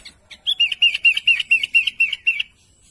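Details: Sooty-headed bulbul calling companions, a rhythmic run of about twelve short, evenly spaced chirps at a steady mid-high pitch, each slightly slurred, lasting two seconds.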